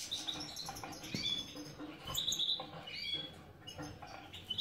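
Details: Caged breeding European goldfinches of the subspecies major in Ioannina, Greece, with lively high chirps, tinkling twitters, and occasional wing flutters amid soft rustling.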